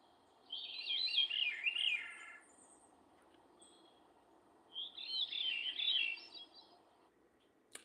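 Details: Veery song played back from a recording: two flute-like, descending spiralling phrases a few seconds apart, with a soft low background hum.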